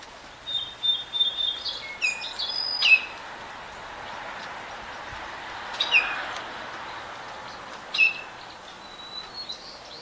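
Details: Baltimore orioles, adults with juveniles, give short bright whistles and slurred notes in bursts near the start, around the sixth second and again near the eighth, separated by quiet gaps with faint background noise.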